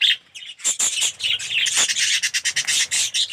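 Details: Budgerigars in an aviary colony, yellow red-eyed birds among them, producing a dense wash of overlapping scratchy chirps and squeaks with almost no gaps.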